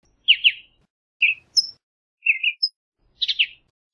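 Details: Western bluebird giving short, soft chirping notes, mostly in pairs of slightly burry chips, in four separate groups about a second apart. The occasional note is higher and thinner. The background is otherwise quiet.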